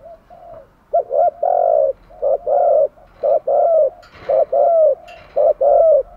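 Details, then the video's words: Decoy spotted dove calling to draw in wild doves, delivering repeated paired coos, a short hoot then a longer gently descending one, with faint soft clicks in the background. "chim cu mồi thúc gù bài bản nhất hiện nay, chim cu gáy kích bổi hiệu quả nhất hiện nay"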